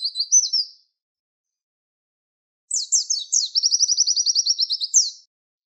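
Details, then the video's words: High-pitched Javan white-eye (pleci) 'tembakan wit wit' tutor song for training songbirds: a brief twittering phrase, a pause of about two seconds, then descending chirps running into a quick, steady string of sharp 'wit' notes. "MASTERAN PLECI TEMBAKAN WIT WIT"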